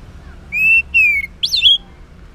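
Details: In the morning, an orange-headed thrush sings ngeplong-style phrases used to coax silent males into answering: two sustained clear whistles, the second gently descending, then a richer looping whistle with an upward flourish.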